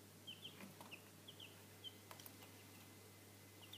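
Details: Little Cochin chicks, three days old and of Chinese breed, cheep in short, high, sliding peeps, several in the first two seconds then sparser, with a constant low hum and faint clicks behind.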